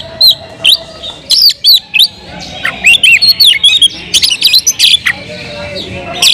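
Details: Oriental magpie-robin, or kacer, delivering loud song to provoke other magpie-robins: varied whistled slurs, rapid chips and scratchy buzzes in an almost continuous flowing series of notes.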